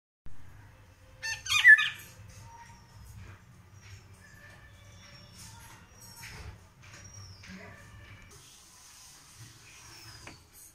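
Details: Indian golden oriole (Haladi Basant) singing: one loud, rich fluty phrase near the start, then quieter stretches with thin, high descending whistles from other birds and a low background rumble.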